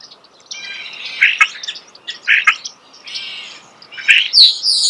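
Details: Starling song heard up close in nature, a chattering sequence of harsh buzzy notes, short chirps and a squeaky high whistle near the end, over a faint steady background.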